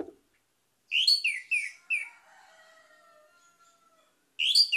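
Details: Orange-headed thrush song used to coax a non-singing caged bird. A bright phrase of falling slurred whistles and high chirps, then a faint lingering tone, then a new phrase begins.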